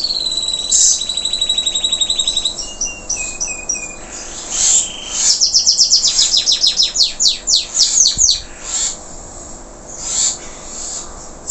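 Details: Singing local canary after moulting: a steady pulsed trill, a short run of lower chip notes, then an accelerating series of loud downward-sweeping whistles fading into softer high notes.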